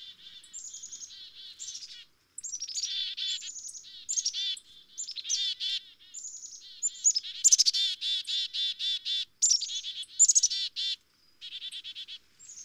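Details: Long, almost continuous sequence of black-capped chickadee calls: high thin chips repeatedly introduce rapid series of buzzy, nasal 'dee' notes, varying in loudness, with only brief silent gaps.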